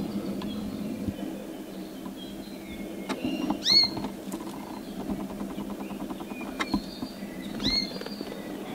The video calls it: The beautiful song of the red bird